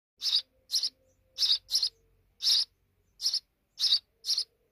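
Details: Sparrows at a deep nest inside a wall: eight short, bright chirps in under five seconds, spaced unevenly, with quiet gaps between them.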